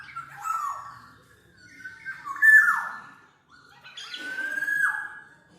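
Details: Black-naped oriole uttering drawn-out nasal notes that slur downward, three phrases separated by brief pauses, the last a longer level whistle-like note with a rasp.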